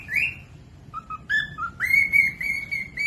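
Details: Cockatiel, a pet parrot. Its song is played to teach lazy or baby birds to copy it. Short whistles lead into long, steady, clear notes, some rising sharply at the start.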